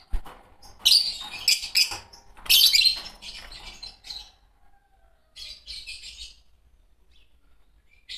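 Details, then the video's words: Fischer's lovebirds, a green pair, give loud scratchy chirp bursts in the first half, fading to softer, sparser twitters and near silence toward the end. "Lovebird singing & chirping sounds -Green Fischer Pair"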